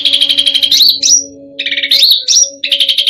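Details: Cucak rante singing a full varied song to provoke other birds: buzzy trills and high upslurred whistles split by a short pause, with a steady low hum underneath.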